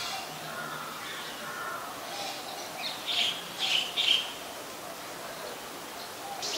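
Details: Olive-backed sunbird in mangrove forest at the Sirinart Rajini centre: three short, sharp high chirps in quick succession near the middle, over steady background hiss with faint lower bird notes.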